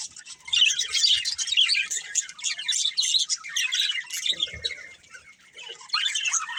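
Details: Budgies of a breeding pair chatter in long scratchy warbled phrases with a thin sustained whistle running through, pausing briefly near the fifth second before resuming.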